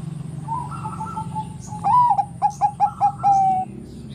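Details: Zebra dove, Bangkok type, singing eagerly to rouse other doves. Faint preliminary coos build into a bending main note, four evenly spaced short notes and a long steady final coo.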